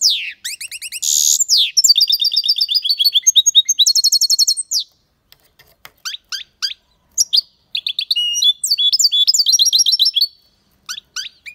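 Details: European goldfinch singing strongly, an aviary bird: dense rapid twitter of bright, tinkling notes and nasal buzzes, pausing mid-song for sparse chips before resuming with quick rising-falling trills.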